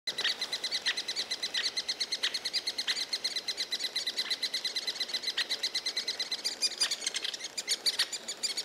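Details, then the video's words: Three-toed woodpecker near its hollow in Białowieża forest gives a steady, high-pitched chatter of rapid notes, about ten a second, without pause, with a few sharper clicks near the end. "three-toed woodpecker near the hollow"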